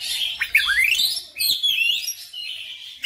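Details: Oriental magpie-robin in full gacor song, a dense run of rising whistled sweeps, scratchy notes and quick chirps packed into a few seconds.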